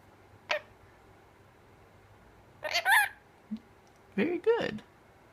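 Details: Female mitred conure (Psittacara mitratus), a pet named HT, says "pretty bird" in short scratchy speech-like bursts with brief squawks between phrases, in a quiet room, answering her owner's prompts.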